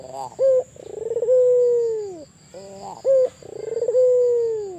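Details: Barbary dove, albino form, cooing persistently: two rounds of a clipped rising note, a fast rolling purr and a long level hoot drooping at the end, about two seconds apart; steady faint electronic whine in the background.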